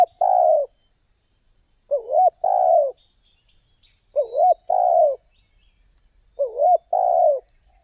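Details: Spotted dove calling, used as a lure to draw wild doves into responding. Each phrase is a short wavering note and then a longer, lower, descending coo, repeated roughly every two seconds, with a steady high hiss in the background.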